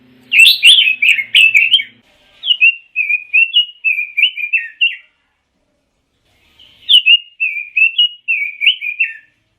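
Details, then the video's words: Pekin robin singing: a quick warbled burst, then a longer run of mellow whistled notes rising and falling, a pause, and another whistled run; a faint low hum under the opening. "Kicau Burung ROBIN"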